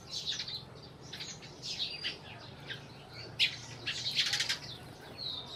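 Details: Sparrows in Burma giving many short, bright chirps and tweets in quick irregular bursts, several birds overlapping, with a steady low hum underneath.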